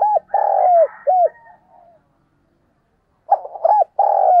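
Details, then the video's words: Spotted dove kept as a decoy, thúc and gáy gọi cooing: a long flat coo and a short hoot, quiet, then stuttering hoots leading into another sustained coo. "Tiếng Chim Cu Mồi Thúc Và Gáy Gọi"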